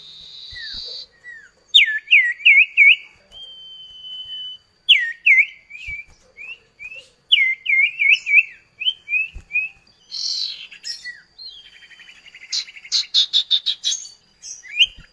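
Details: Common iora duet, kept birds singing continuously and used as a training lure. Bright looping whistled phrases repeat in runs with short pauses, then a sustained whistle. A buzzy burst and a quick series of sharp chips close the sequence.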